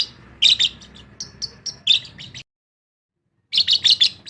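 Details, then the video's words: Lovebird chirping in uneven clusters of high sharp notes, a second of silence, then another quick burst of chirps. "Love Bird Singing"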